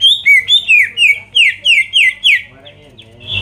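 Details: Greater green leafbird song used to provoke rivals: a quick run of about nine clear descending whistled notes, each sweeping down in pitch, repeated about four per second, then a few softer notes.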